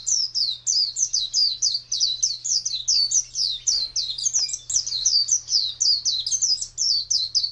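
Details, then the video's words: Oriental white-eye singing in the ngalas (wild-type) style: a fast, unbroken stream of high, thin chirps and twittering notes packed closely together, with a faint steady low hum underneath. "Suara Burung Pleci Ngalas Burung Kacamata Durasi Panjang"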